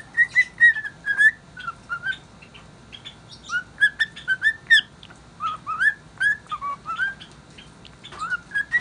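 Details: Domestic cockatiel in a happy mood whistling a tune nobody can name: bursts of pure whistled notes, many bending upward or downward, grouped in quick phrases with short gaps, plus scattered higher chirps.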